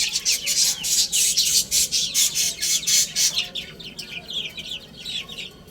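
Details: Chicks busy eating and playing; loud rasping pecks fill the first half, then a run of clear, high, bending peeps follows.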